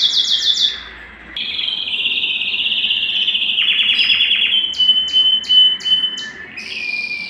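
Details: Excited domestic canary kept at home, singing because it wants to mate: a fast buzzy trill gives way to long, steady, high rolling tours, then a series of sharp clipped notes and a final dipping whistle.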